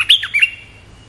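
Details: Red-whiskered bulbul, a territory-holding bird, gives a lure call: a quick burst of three or four bright, chirpy whistled notes lasting half a second, then falls quiet.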